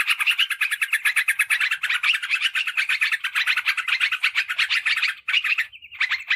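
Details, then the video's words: Yellow-vented bulbul chatter used as a lure for wild birds and as a tutor for birds kept at home. Quick, rattling notes run densely, then break near five seconds before a short final burst. "Suara PIKAT Trucukan PALING AMPUH !! Respon Cepat Terbukti Jitu"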